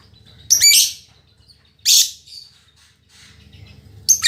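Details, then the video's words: Female lovebird, described as a fighter and very vocal, kept for training other lovebirds; three short, harsh, bright chirping bursts separated by about a second of quiet, with faint low background hum. "Suara Burung Lovebird Betina Fighter"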